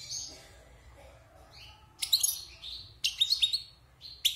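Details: Wild European goldfinch caged after moulting, six months indoors, gives soft opening notes then loud bursts of sharp tinkling chirps and rapid twitters in separate phrases.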